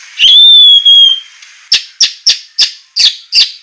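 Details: White-rumped shama training song in semelet style with rough bursts: a single long clear whistle that holds steady and then falls off, followed by six sharp clicking notes spaced about a third of a second apart.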